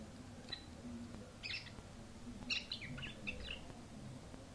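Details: Canary in early song: short bursts of high chirped and warbled notes in scattered clusters, separated by quiet gaps, over a low steady background hum.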